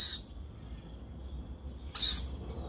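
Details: A lorikeet feeding its baby gives two brief, shrill, rasping screeches about two seconds apart, with only a faint low rumble between them.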